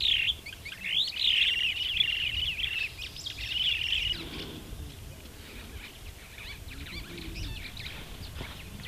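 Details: Superb starling in Kenya giving a rapid, chattering run of squeaky, warbling notes for about four seconds, then softer scattered chirps against light background noise.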